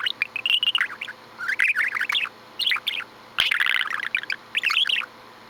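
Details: Pet budgerigar filmed on 16 January 2015 for a weekly Friday show, chattering in a continuous warbling stream of quick twittery notes that rise and fall, broken by brief pauses and one sharp click.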